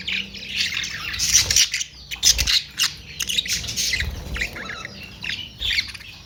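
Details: Australian parrots (budgerigars) chattering: harsh squawks and warbling chirps in irregular bursts, several birds overlapping, with occasional low thumps.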